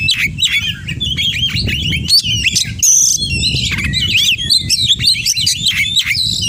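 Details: 'Kacer gacor' oriental magpie-robin with full 'isian' repertoire: a continuous torrent of twisting whistles, chirps and short buzzy bursts, hardly pausing, above a persistent low rumble.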